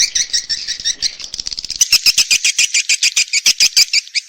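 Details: Luring call for swiftlets at nest houses, heard as dense high twittering chirps that shift into slower, evenly spaced, loud clicking chirps repeated several times each second.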